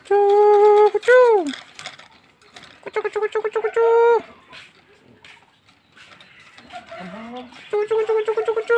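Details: Pet talking parrot giving loud, nasal harmonic calls, some held steady and some sliding downward, in several bursts with a few quick stuttering notes between them, and faint human murmuring.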